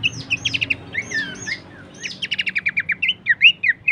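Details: Short burst of Horsfield's babbler song used to train songbirds: swooping whistles followed by a rapid string of sharp repeated notes and bright slurred ends.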